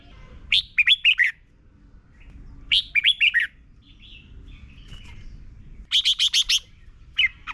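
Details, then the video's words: Thai Red-whiskered bulbul song used as a morning training recording for young birds: a few rapid phrases of four to six chirpy, slurred whistles at a lively pace, separated by short pauses, with one softer fragment near the end. "นกกรงหัวจุก - 30 นาทีทุกเช้า เพื่อให้นกเรียนรู้ที่จะพูดได้อย่างรวดเร็วและหนักแน่น"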